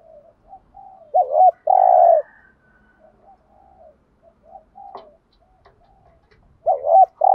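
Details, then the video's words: ['Spotted dove giving thúc gù cooing used to rouse wild doves: soft scattered notes, then a loud double note and a long, full coo, with another loud double note at the end.'] "tiếng chim cu gáy thúc gù/ chim cu gáy kích bổi nhanh nổi, bổi nghe nhanh nổi gù"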